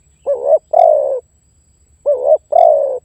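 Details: Calling and pressuring a rival, a spotted dove lure call used for attracting wild doves gives two phrases about two seconds apart, each a brief wobbling coo then a longer mellow coo sliding gently downward.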